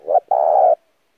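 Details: Spotted dove lure call for training newly caught birds. A single low coo phrase: a short soft opening note, a brief gap, then a sustained, steady, mellow coo about half a second long that fades into a quiet trailing tail.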